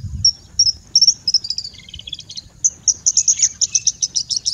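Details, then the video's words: A bushlark sings a varied high-pitched song of short whistles and scratchy notes, ending in a fast series of repeated chirps, against a constant thin high tone and faint low background noise. "Singing Bushlark"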